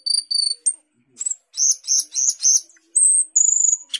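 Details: Asian glossy starling, a fruit-eating bird skilled at mimicking other birds, singing in full voice: high whistled notes with harmonics, buzzy chattering bursts and long thin whistles, loud and varied, no other sounds.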